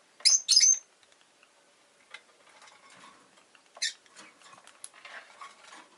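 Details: Pet rosy-faced lovebird giving two loud, shrill, rasping chirps near the start and another a few seconds later, with soft clicking and pattering sounds filling the gaps.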